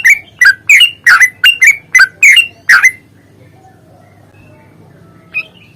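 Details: Yellow-vented bulbul giving an agitated, fighting-style 'ropel' song used as a lure to make birds sing: a rush of about nine loud, gurgling, slurred chirps over three seconds, then quiet with one faint distant note.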